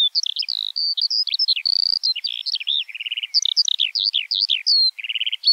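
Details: Eurasian skylark singing: a rapid, unbroken stream of high chirps, trills and short whistles, jumping between notes with barely a pause, clean with no other sounds.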